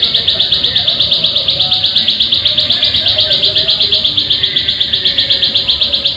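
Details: Lure recording of a plain prinia meant to get birds singing: evenly spaced, sharp, high chirps repeated nearly three times a second in an unbroken run, with low murmuring noise beneath.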